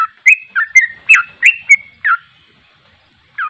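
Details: Sooty-headed bulbul singing in the fast 'ropel' style, meant to prompt other bulbuls to join in: a quick run of seven or eight clear, whistled, slurred notes, then a pause and one final note.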